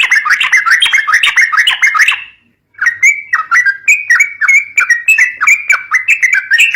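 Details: Yellow-vented bulbul (trucuk) song, a recording meant to stir young birds into singing: rapid chattering bursts of bubbly, sliding notes for two seconds, a short pause, then a long run of clipped warbled phrases.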